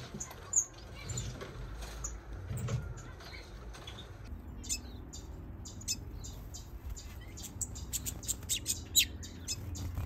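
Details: Gouldian finches kept in an aviary while breeding, with chicks and an adult male present; quiet at first, then rapid thin high chirps and ticks crowd the second half over a steady low rumble.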